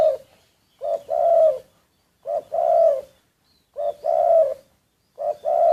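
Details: Spotted dove kept as a decoy, secretly recorded: four evenly spaced phrases, about every 1.4 seconds. Each is a brief lead-in note and then a long, hoarse, level coo.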